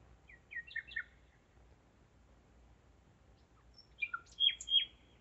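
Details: Common nightingale singing at 01:55 at night on 5 May 2017 in Zeitz, Germany: two short, varied phrases of quick chirps and clear whistles, separated by a few seconds of pause, over a faint low hum.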